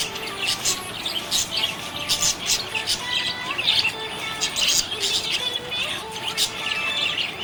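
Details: Cheerful budgerigar chatter, a busy stream of bright, rapid chirps and squeaky warbles rising and falling without pause, with several birds calling at once.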